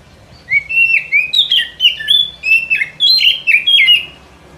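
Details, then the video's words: White-rumped shama song used as a lure for trapping in the forest: loud clear whistled phrases around high pitch, a rapid series of rising and falling slurred notes with short gaps, no other sounds. "Suara Pikat Burung Kacer ini Sangat Gacor, boleh di coba pikat di hutan"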